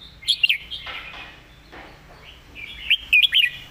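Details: Caged red-whiskered bulbul, praised as a good, diligent singer, giving short liquid whistled notes that rise and fall, with a bright phrase near the start and another near the end, separated by softer warbling.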